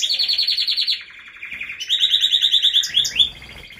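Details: Canary song opening with a loud pulsing trill, a brief quieter pause, then a bright rapid trill with higher whistled accents that fades toward the end.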